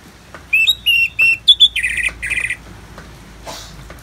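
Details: An orange-headed thrush (Geokichla citrina) sings a quick burst of clear, high whistled notes, short phrases then harsher buzzy notes, with natural rain sounds in a calming bird-therapy recording, over a faint soft hiss.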